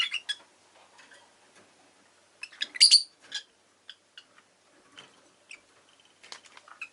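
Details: Rosy-faced lovebirds, including an orange-coloured bird in its last recording, chirping in short scratchy bursts: a loud cluster of rapid shrill notes near the middle, with scattered softer chirps before and after.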